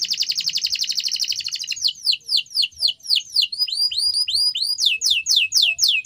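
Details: Canary training song: a rapid, buzzy high trill for almost two seconds, then a run of bright downward-swept whistles repeated about four times a second.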